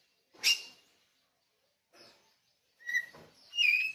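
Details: Kacer bali (oriental magpie-robin) singing, from Pupuan: a sharp, bright whistled note, a faint short phrase, then a burst of high, slurred whistles near the end, with quiet gaps between.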